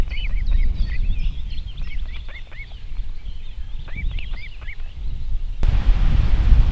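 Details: At a nest in South Estonia's Võrumaa region in 2021, an Osprey gives a rapid burst of high upslurred whistled chirps. Calling fades, then a sudden crackle and louder low rumble take over.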